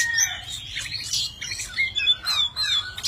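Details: A tame Oriental magpie-robin sings in many voices while dancing with wings and tail spread; dense run of whistles, rapid chirps and sliding notes, busy and continuous, with a low background rumble.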